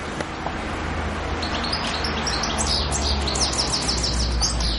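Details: European goldfinch on Pantelleria island, 2 January 2011, heard through strong background noise, rising into a run of repeated high twittering notes in the second half.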